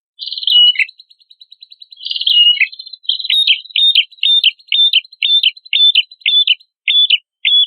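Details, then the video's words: Red-headed prenjak song meant for training cage songbirds: two trilled phrases ending in a dropping note, then a rapid run of about a dozen identical clipped chirps, each with a short upward flick. "MASTERAN PRENJAK KEPALA MERAH GACOR"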